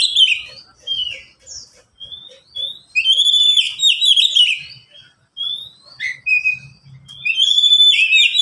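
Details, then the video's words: Oriental magpie-robins singing in cages, three birds responding to each other, for training lazy birds and attracting wild ones: spaced whistled slurs and richer warbled phrases, with faint regular ticking early on. "Kicau mania sederhana cocok untuk masteran burung Kacer yang malas bunyi"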